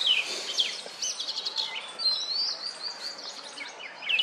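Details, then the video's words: Oriental magpie-robin calling for a mate from a wooden stump while ruffling its plumage; continuous sweet whistled phrases and chirps over a dense background chorus of other birds. "Oriental Magpie-Robin poops while making mating calls!"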